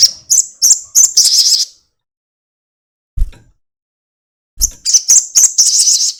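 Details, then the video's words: Crested jay long chatter played as a lure to start birds calling: clipped high rattling notes that run into a buzzy trill, then a low thud and silence before the rattle resumes. "sogon ekek panjang"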